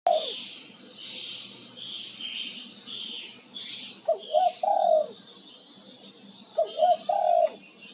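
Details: Male spotted dove (tekukur) cooing: two phrases of low soft coos, each a couple of short notes followed by a longer drawn-out coo, over a steady high hiss of insects.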